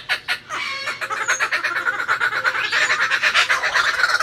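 A kookaburra's loud, harsh chuckling laugh: rapid hoarse notes, about three per second, building in intensity and rising toward the end.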